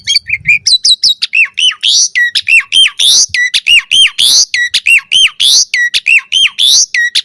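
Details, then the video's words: Asian pied starling song for training birds, full variation: one arched whistled note repeated over and over at a steady quick pace, interleaved with buzzy hoarse rasps and higher squeaks. "Suara Jalak Suren Full Variasi Ocehan"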